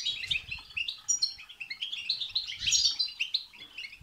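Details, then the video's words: European goldfinch song in the batbata and setsata styles, used to stir a goldfinch into singing: rapid, tinkling twitters and buzzy trills, high and continuous, with faint low thumps underneath. "بتبتة وستستة تخرج الحسون عن السيطره..... هيجان خرااافي تسببه هذه البتبتة نار على نار سيغرد حسونك"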